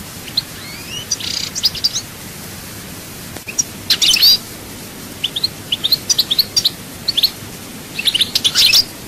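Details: European goldfinch, Souk Ahras, chaayba song: a couple of rising whistled slurs and a buzzy note open the recording, then after a pause come scattered sharp chirps and short twittering bursts, ending in a dense buzzy trill.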